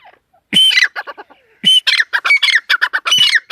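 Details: After a brief pause, a female teetar, or partridge, bursts into quick bouts of grating, squawky korak notes with whistled overtones, coming in rapid clusters.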